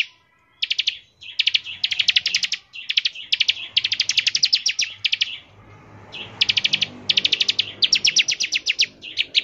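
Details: Bar-winged prinia, a singing-lure recording meant to prompt prinias to sing, delivering rapid bursts of dense, high trilled notes in fast-repeated phrases separated by brief pauses, with faint low background hum.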